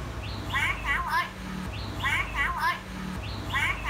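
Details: Common hill myna mimicking a phone ringtone and car horn: a warbling, voice-like phrase of bending tonal notes with rich overtones, repeated three times about every 1.5 seconds, over a low steady indoor hum.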